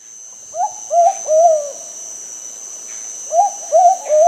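Plumbeous pigeon giving two phrases of three low, hollow coos, each rising then level, under a steady high insect whine.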